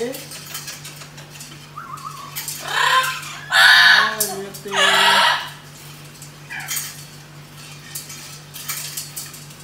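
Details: A blue-eyed cockatoo gives two loud, harsh, raspy screeches about a second apart, over a steady electrical hum and light household clatter.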